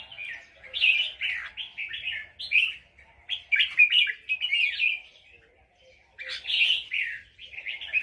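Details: Nap dok song of a red-whiskered bulbul, Loei province, Thailand. Lively strings of jumbled, liquid whistled notes come in three bursts separated by brief silences, with faint low tones underneath.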